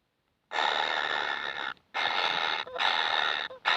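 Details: Hungry kingfisher chicks call for food after a short silence: long, hoarse, hissing rasps follow each other with only short pauses between them.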